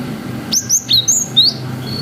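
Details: Cinereous tit, 'wucit' song used as a lure: a rapid series of five high, pure whistles, some rising and some falling, delivered within a second over a soft low hum.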